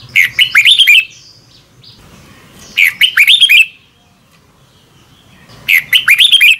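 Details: Red-whiskered bulbul morning song in the "double twist" voice style, recorded as training sound: one short fluty, twisting phrase repeated three times, roughly every three seconds, with quiet gaps between.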